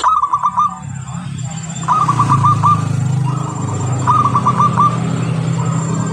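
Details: Local zebra dove singing as a lure: short bursts of fast pulsed cooing repeat every couple of seconds, partly masked by a loud, steady low rumble through most of the recording.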